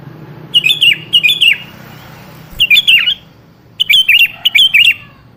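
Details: Lure recording of a sooty-headed bulbul for prompting a quiet bird to reply: short bubbly three-note phrases, clear and liquid, given in pairs separated by brief silences.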